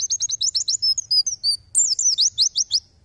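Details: White-eye in tembakan song, a tutor recording for songbirds: quick, high, chattering downslurred notes, a few thin level whistles, then another fast burst of sharp slurred chips.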